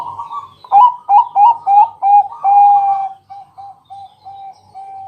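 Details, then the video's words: Loud night-time song of a Bangkok zebra dove, used to coax other doves into singing: a rapid run of strong stuttering coos, then a series of softer, evenly spaced short coos, with near silence behind. "Pancingan malam hari Perkutut Bangkok..Suara Penghilang Stress Burung Perkutut"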